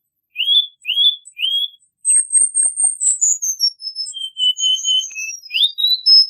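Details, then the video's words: Cuban bullfinch song in 'tembakan rapat' style, a masteran tutor recording: three quick rising whistles, then a long high sustained note sliding into a steady stream of fast, high, falling and level whistled phrases. "MASTERAN BURUNG BULL FINCH KUBA TEMBAKAN RAPAT"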